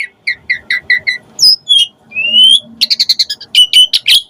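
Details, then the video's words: Asian pied starling song with varied phrases, meant to provoke other starlings into singing. Short chirps repeat in quick succession, then a long upslurred whistle, then a rapid rattling series of sharp high notes. "Suara Kicau Jalak Suren Gacor Pancingan EMOSI Isian Variasi Agar Burung Jalak Cepat Gacor Full Isian"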